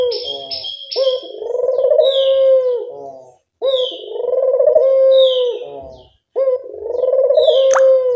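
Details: Barbary dove coo played to attract birds: three low, buzzy, rolling coos roughly every two and a half seconds, separated by short silences. High down-slurred chirps from a small bird and a sharp click are also heard.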